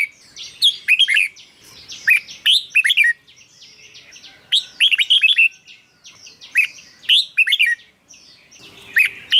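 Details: Song of the red-whiskered bulbul, played for kept birds to make them lively or to lure others. Quick bursts of sweet, slurred whistles in groups, several birds seemingly overlapping, with short quiet gaps between phrases.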